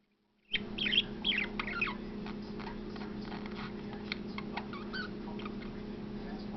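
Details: A male pet budgerigar warbles in a fast, scratchy stream of chirps, clicks and chattering notes while singing to the camera.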